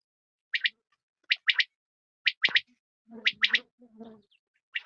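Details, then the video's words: A quail, possibly a female, gives sharp, high notes in quick groups of two or three, repeated about once a second, with a low murmuring sound partway through. "Batair Ki Awaz Quail Sounds"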